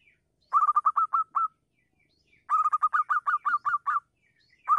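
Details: A local zebra dove (perkutut) gives two bursts of quick, staccato cooing, about eight to ten mid-pitched, slightly bubbling notes in a rapid run with quiet pauses, recorded as a morning lure call.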